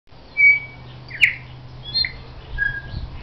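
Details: Bellbird (Korimako), recorded 13 October 2009, gives a few pure, bell-like whistled notes, high and ringing, spaced unevenly over three seconds, over a faint steady low hum.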